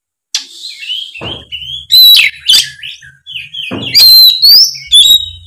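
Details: Oriental magpie-robin in vigorous, loud open 'gacor ngeplong' singing, used as a lure to make young speckled or off-form birds answer: clear whistled notes, slurred rising and falling phrases and sharp chattering bursts in quick, irregular succession.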